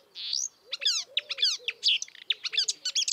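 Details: Marsh warbler singing in the wild: a quick, dense stream of sweeping high notes and buzzy chirps, each lasting a fraction of a second, delivered almost without pause.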